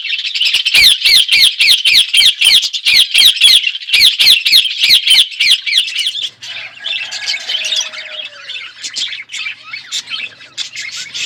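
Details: Budgies eating seeds in an outdoor aviary in a forest setting give a loud, fast run of repeated wavering chirps, almost four per second, for about six seconds, then drop into a softer mixed twittering chatter.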